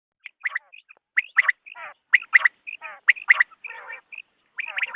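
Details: Quail calls at dawn, recorded for use in hunting: short sharp notes in quick clusters of two or three, mixed with rasping, grating bursts and brief high whistles. Several birds appear to call over one another.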